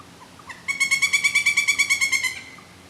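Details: Loud, rapid series of about fourteen ringing, even-pitched notes from a pileated woodpecker, preceded by one soft note and ending in a brief trailing tone, with little else heard.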